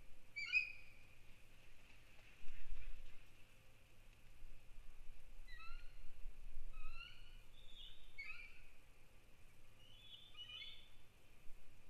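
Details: Adult bald eagles at the Sauces nest give alert calls during an intrusion and chase on December 1, 2019. The calls are bursts of high, thin, chirping notes in short descending series over a steady high hum and low rumble.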